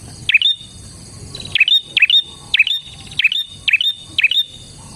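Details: Bar-winged prinia's lively gacor song for luring other prinias: one chirp, a short pause, then six rapid, evenly spaced sharp notes, each dipping and curling upward, against a soft steady hum.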